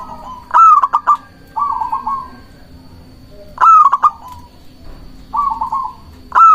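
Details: Local zebra dove singing, the song meant to attract and rile rival doves: each phrase opens with a bright rising whistle and staccato clicks, then a purring rolled trill, about three phrases over six seconds.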